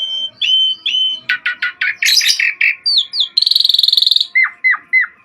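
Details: Asian pied starling in lively song on a track for training cage birds: whistled notes, rapid chattering bursts, a fast buzzy rattle, then falling slurred chirps.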